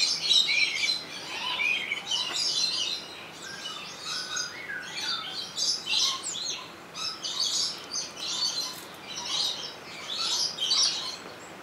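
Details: Captive rainbow lorikeets at Opole Zoo, captured with a Sony HDR-XR160E: a continuous, busy chorus of high, squeaky chirps and screeches that overlap rapidly with hardly a pause.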